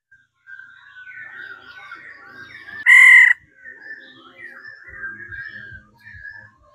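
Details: Female laughingthrush 'ro' song to stimulate males to sing. A long stream of fluid whistled warbling is broken midway by one loud, harsh nasal blast, with faint low knocking later.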